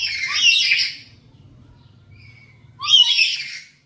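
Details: Black-capped lory kept at home, calling actively; two loud harsh squawking bursts with a brief low whistle at the start of each, about two seconds apart, separated by quiet with a faint low hum beneath.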